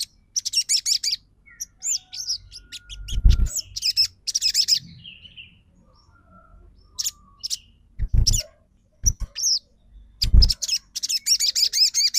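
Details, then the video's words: Crimson sunbird lure song of the trotol type, played to make other birds sing and become aroused: quick, high metallic twitters in clusters, scattered sharp chips, several heavy low thuds, and a closing fast chattering run. "PANCINGAN SOGON TROTOL MACET BUNYI LANGSUNG RESPON & NYAUT!!"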